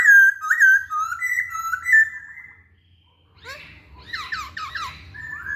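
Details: Masked laughingthrush singing as a lure to spur other birds: a chain of clear whistled notes stepping up and down, a short pause, then rapid hooked chattering whistles.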